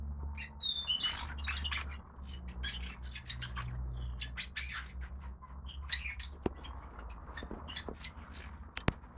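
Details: Nest of five young red-rumped parrots, all females, lutino and pied-dilute: busy overlapping high squeaky chirps and scratchy peeps, denser early then sparser, with a couple of sharp clicks and low hum behind.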